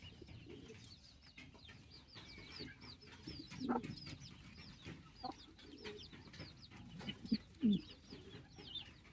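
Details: Kept pigeons give low, throaty cooing notes in short bursts, loudest near the middle and again toward the end, over a constant backdrop of many high, rapid chirps from other small birds.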